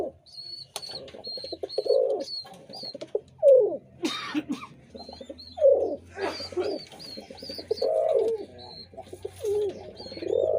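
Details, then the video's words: Repeated pigeon coos, deep and rolling, interspersed with rapid pulsed grunting phrases; high, short chirps of other small birds run through much of the recording over a faint low hum. "pigeon sound effect"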